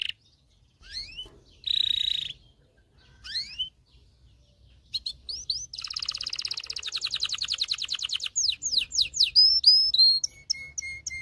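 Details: Aroused canary singing to prepare females for breeding and teach males: scattered rising chirps and a short buzz, then a long rapid high trill building in volume, ending in sweeping notes and soft low pips.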